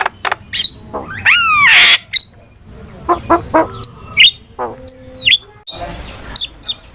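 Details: Starling singing as a training lure: scattered clicks and a loud harsh burst, then several clear whistles that slide downward, mixed with short nasal chatter and sharp ticks.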